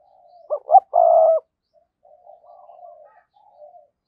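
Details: Decoy spotted dove calling: two short low coos and a long steady hooting note, then soft distant cooing.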